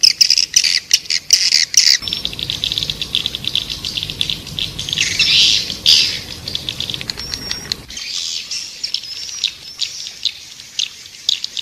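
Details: Swiftlet lure track ('Raja Liur Emas') meant to attract edible-nest swiftlets to a nesting house: shrill chirping and clicking, a swelling harsh high twitter midway, then short thin whistled notes after a sharp edit.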